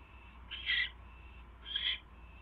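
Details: Owl during a mouse delivery from the male to his mate, 8:34 PM on 24 January 2016; two short, scratchy hissing calls about a second apart over low background hum.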